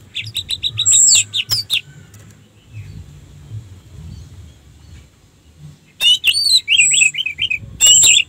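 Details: Orange-headed thrush song played to provoke other thrushes into singing: a burst of jumbled whistled notes, a quiet gap of several seconds, then a run of quick repeated down-slurred whistles and high piping notes.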